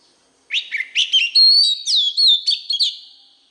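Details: White-rumped shama voice-training song for young birds: after a brief silence, a strong phrase of buzzy chips, long level whistles and swooping slurred notes ends in a fading whistle.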